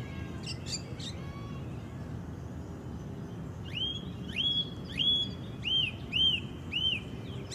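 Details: Wild orange-banded thrush in isian (filler) song: a brief early burst of high chirps, then a run of six loud whistled notes, each sweeping sharply up and curving down, spaced about half a second apart over steady background hiss.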